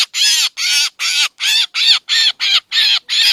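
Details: Black drongo lure call for bird trapping: harsh, raspy, broadband notes, about eight in just over three seconds, each with a rising-then-falling arch, separated by short clean gaps. No other sounds.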